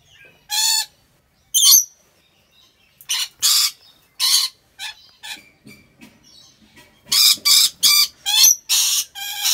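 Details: Caged rainbow lorikeet in Aceh Besar, Indonesia, calling with scattered harsh squawks and a few ringing notes. Softer chatter follows, then a fast closing burst of shrill, grating screeches.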